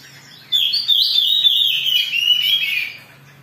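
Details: Oriental magpie-robin, agitated, singing to provoke other birds into song; a rushed, unbroken torrent of high whistled and buzzy notes lasts about two and a half seconds over a faint low hum.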